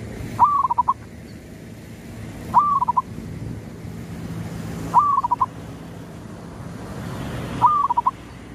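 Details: Zebra dove gives a soft cooing phrase, a slurred rising note then a quick stuttering trill, repeated about every two and a half seconds over a low hum; a local wild-type bird whose call is used to lure rival males.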